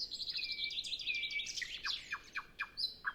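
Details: Early-morning nightingale before sunrise, no wind, no other birds singing, recorded with a Zoom F6 and Sennheiser MKH 8040: fast high trill over a sliding whistle, then spaced sharp notes.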